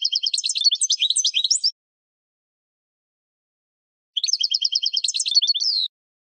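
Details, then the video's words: Captive European goldfinch training song for teaching caged birds to sing: two bursts of rapid, high twittering trills with fast repeated notes, about 1.7 seconds each, separated by silence. "Goldfinch Singing 12h Training Song"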